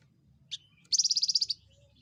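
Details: A small insect-eating Javan fulvetta, known for its loud voice, gives one short high note, then a quick run of about a dozen bright, high-pitched notes packed into roughly half a second.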